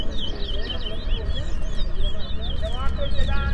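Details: Twa-twa finch (towa towa) singing in a song race between two birds in Berbice; rapid, twittering high warbles run continuously, with a man's voice counting and low rumbling background noise.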